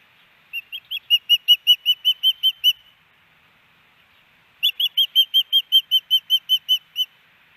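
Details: Nesting female osprey in Hellgate Canyon, Missoula, Montana, May 18, 2019, calls for her mate, recorded by a nest camera. Two bursts of about a dozen sharp, evenly spaced whistled chirps each, separated by a two-second pause.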